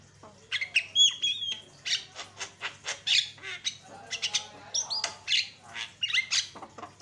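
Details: Provoking lure song of a Javan myna: chattering squawks and clicks interleaved with sharp whistles and hooked slurs, continuous and varied.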